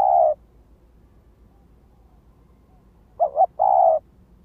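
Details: Lure spotted dove cooing: the tail of one coo, a pause, then a full phrase of a brief double note and a long steady coo.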